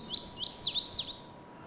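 An Indigo Bunting sings a quick run of high, sweet notes, mostly paired and sweeping up and down, over about a second; the background is quiet.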